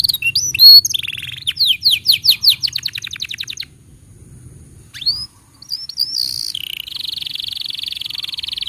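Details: Canary song for tutoring young and silent canaries: fast repeated sweeping notes in a rhythmic series, a brief pause of near quiet, then a rising whistle and a long steady trilled roll.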